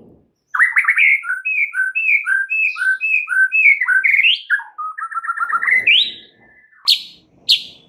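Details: White-rumped shama singing a full isian lure song to prompt other birds: long, lively sequence of repeated two-part whistled phrases, then a stuttering rising trill ending in a few sharp high chips.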